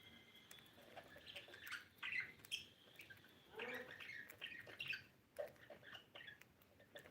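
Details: Blue budgerigar giving busy, irregular chatter: quick squeaky chirps and scratchy warbles rising and falling, with short louder bursts around the middle and a steady faint background hiss.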